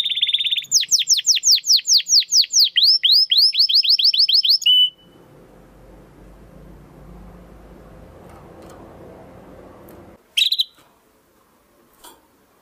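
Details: Domestic canary in the 'crystal voice' style, recorded to train competition birds, delivers a high trill followed by a fast run of repeated falling sweeps for about four seconds, then faint room noise and a short final chirp.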